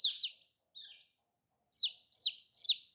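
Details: Cute colored baby chickens call with sharp descending cheeps, two at the start, a faint one, a gap, then three evenly spaced loud peeps.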